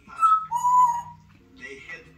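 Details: Talking, dancing pet African grey parrot gives a short clear whistle and then a longer, lower one, followed by a brief raspy, speech-like phrase over a low room hum.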